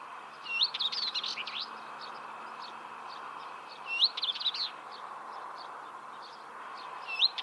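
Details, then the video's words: Northern Wheatear giving short, rapid phrases of scratchy notes mixed with thin whistles, about one every three seconds, over a soft steady background hiss. "Обыкновенная Каменка"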